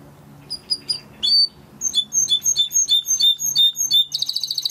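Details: Timbrado canary training recording: sparse high chirps, then evenly spaced bright chips about three per second, closing in a fast pulsed roll, over a low steady room hum.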